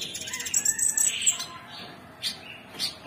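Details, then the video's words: A bulbul (cucak cungkok) sings a rapid run of thin, high chirps and squeaky notes, then two brief sharp whistled bursts after a pause. "Cucak Cungkok Super gacor"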